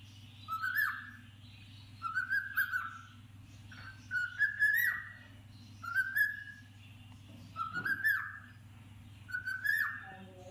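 A cockatiel gives a series of clear, rising whistles, about one every two seconds.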